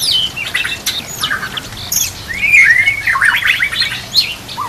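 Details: White-rumped shama singing as a model for other shamas, over nature sounds and trickling water: loud, busy phrase of high sweeping whistles, a long wavering warble in the middle, then harsh mixed notes.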